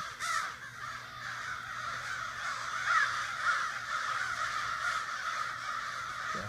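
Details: Morning gathering of neighborhood crows in a Sudbury backyard: many harsh caws overlap in a loud chorus, with a few individual calls standing out near the start and middle, low hum behind.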